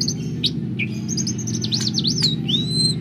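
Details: Kept greater green leafbird from Banjarmasin in full song: quick high swooping whistles rising and falling in a zigzag run, ending with a long level whistled note, all above a steady low mechanical drone.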